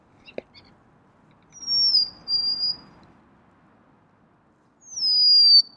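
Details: Golden-crowned sparrow whistling: a sharp click, then a high, thin, slightly falling two-part whistle, a quiet gap, and another drawn-out descending whistle.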